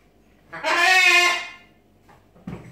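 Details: Single loud, drawn-out macaw screech lasting about a second, harsh and richly layered, swelling then fading, followed by a short soft rasp and a low thump in a quiet room.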